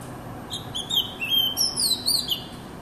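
An Oriental magpie-robin sings a varied run of sweet whistles and quick chirpy notes, rising and falling over about two seconds, over a soft low background hum.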